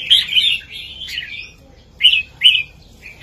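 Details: Southern master-song phrases from a red-whiskered bulbul, meant for teaching young birds: a rich rolling warble, a pause, then two short sharp whistled notes close together.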